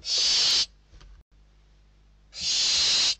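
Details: Barn owl chicks inside a Spanish nest fighting over a delivered bird, December 2023, eldest chick winning; two long, broadband rasping hisses separated by a short quiet gap.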